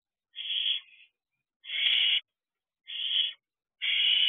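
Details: Barn owl owlets, a pair sitting on an owl box perch late at night in June 2023, give four rasping, breathy screeches of about half a second each, spaced roughly a second apart, with no other sounds.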